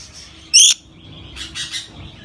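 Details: Rainbow lorikeet letting out one sharp, loud screech, followed by softer raspy chatter a second later in a quiet setting.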